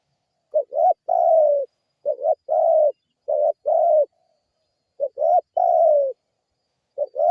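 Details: Vigorous spotted dove lure call meant to provoke replies from other birds. Mellow coo phrases follow each other closely: paired short notes, then long gently falling coos, repeated about four times in a quiet setting.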